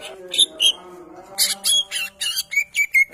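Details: Champion greater green leafbird song: two sharp whistles, then a run of harsh, buzzy chattering notes ending in quick repeated downslurred whistles, roughly five per second.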